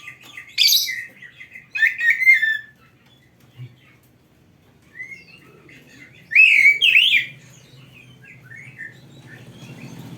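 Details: Oriental magpie-robin singing in scattered bursts, used as tutor song for caged birds: brief loud whistled and scratchy phrases separated by long quiet gaps, with a faint low hum in the background.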